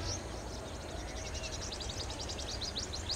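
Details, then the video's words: A sunbird gives a rapid, steady series of thin, very high ticking notes throughout, over a constant low rumble of background noise. "Sunbird's Beautiful Vdo ll calling"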